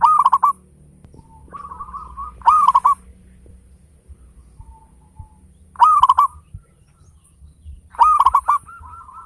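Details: Local zebra dove with a strong, rhythmic song, used to stimulate singing in other birds: a tight cluster of loud hooked coos recurring roughly every three seconds, with soft notes and faint hum between bursts.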